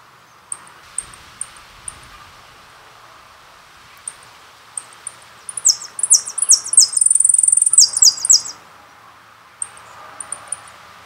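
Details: Goldfinch, called jilguero, giving soft scattered high ticks, then a fast, dense, twittering burst of shrill, very high notes for about three seconds before returning to sparse ticks.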